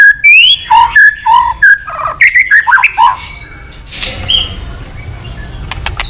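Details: White-rumped shama singing a long song intended to trigger fighting. Three seconds of mellow whistled notes in short repeated phrases give way to softer, scattered sounds and background hiss.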